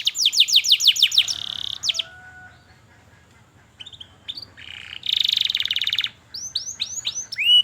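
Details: Caged canary singing a lure song meant to teach young canaries to sing: fast trills of repeated downward-sweeping notes, a buzzy burst, a quiet pause with faint thin tones, then another rapid rattling trill and rising whistled slurs.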